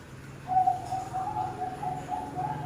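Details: Bird-farm zebra dove giving a brief burst of soft, rolling coos, short notes strung closely together at a steady pitch, with low background hum.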